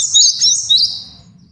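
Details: Three quick, bright, high swept whistles from a male cinereous tit, used as a master song for training and trapping, fade away within about a second.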